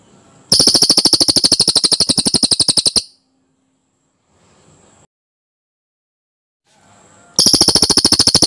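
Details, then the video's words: Cililin bird singing a clean, packed trill used to teach other birds: a long burst of rapid, high, evenly spaced notes lasting over two seconds, a long silence, then the trill starting again. "Masteran Burung CILILIN JERNIH Roll Padat"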